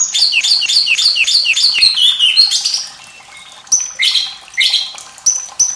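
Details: White-rumped shama sharp-voiced song meant to teach young birds to sing, with running water: rapid series of repeated downslurred whistles sliding lower, a pause, then loud separate high whistles and rich phrases.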